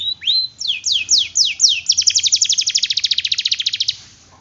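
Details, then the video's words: Lively canary in a tutoring recording, singing long rolls to prompt quiet canaries. Rising and falling whistled sweeps lead into a steady, very rapid trill of about twenty pulses, which fades out near the end. "Masteran Kenari Gacor, Pancingan Kenari Gacor Sulit Bunyi"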